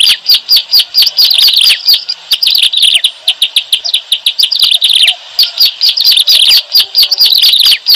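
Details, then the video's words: Bar-winged prinia calls used to lure birds into traps. Brisk, high, ticking chirps come in quick succession, some falling in pitch, forming a busy, scratchy chatter. "SUARA BURUNG CIBLEK ALANG ALANG"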